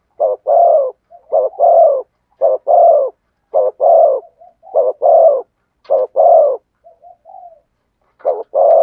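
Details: Spotted dove (cu gáy) cooing in the prized thổ sấm voice style: deep hollow paired coos, a short note then a long sustained one, repeated steadily about every second, with soft faint notes between phrases and no other sounds.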